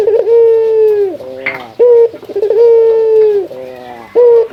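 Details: Male puter dove, a local bird, calling out to a rival. Two long, level, mellow coos are each followed by a short, sharp upward note, with a brief rough burst between them.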